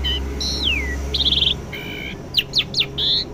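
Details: A home-kept Asian pied starling rehearsing its voice gives a clean whistle sweeping downward, a rapid trilled buzz, paired level tones, three sharp upslurred chips and a final buzzy note, over a constant low hum.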